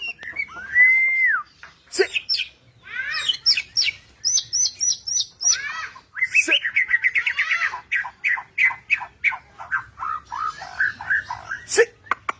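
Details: Indonesian murai batu, the white-rumped shama, singing energetically in 'gacor' style: an opening slurred whistle, then fast runs of high repeated notes, dense rippling warbled phrases and quick chattering trills, nearly continuous throughout.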